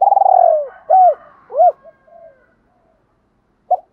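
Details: Spotted dove challenge call used to provoke other doves: a long vibrating coo sliding downward, then two arched hoots and a soft trailing note, ending with a brief clipped hoot after a pause.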